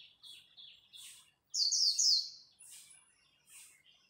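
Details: Japanese white-eye in a dawn song contest: soft high chirps, then a loud one-second burst of sharp, high twittering, followed by fainter chirps.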